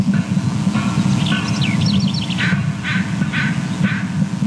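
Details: At the nest, the female bald eagle calls more excitedly as the male arrives: a run of thin, high, descending piping notes followed by several harsh call bursts, over a constant low background roar.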